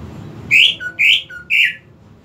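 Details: Greater green leafbird giving three loud, harsh, buzzy notes about half a second apart, each followed by a softer lower whistle, over a low background hum.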